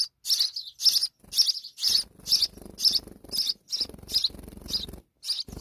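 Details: Little sparrow with her babies calling steadily: rapid, evenly repeated high chirps, roughly twelve in under six seconds, over a faint low background murmur.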